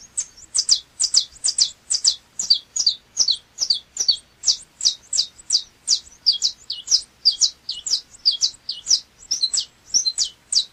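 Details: Canário chapinha, a saffron finch, delivers a long, steady run of sharp, high, snapping notes, about two or three each second, with no other sounds.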